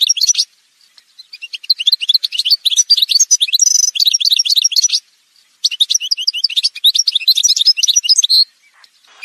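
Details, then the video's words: Algerian goldfinch of the parva form, in an edited montage of song: rapid chattering twitters and trills in two long bursts, with a short pause between them. "chant chardonneret montage"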